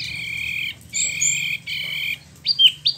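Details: Captive spot-throated babbler (Pellorneum albiventre), kept about a year and freshly moulted, in Bandung, West Java, Indonesia, rolling: three bursts of high, buzzy rolling trill, then a few sharp downslurred whistled notes at the end.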